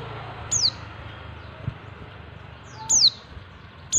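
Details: Female white-eye calling to lure males, three piercing high notes dropping sharply in pitch, spaced irregularly over four seconds above a low hum.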